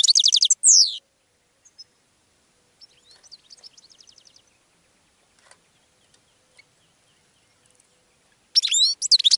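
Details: Goldfinch song opens with quick high twitters and a falling slurred note, then soft scattered chips during a long lull, ending with another bright twittering burst.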